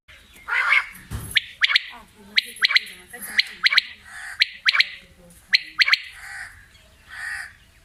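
Quail giving sharp, bright, squawky notes, often doubled, repeated about once a second with uneven spacing.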